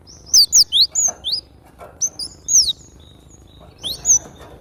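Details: Cinereous tit singing actively: dense runs of high, steeply rising and falling whistled notes, in three phrases over a few seconds, bright and loud against a quiet background.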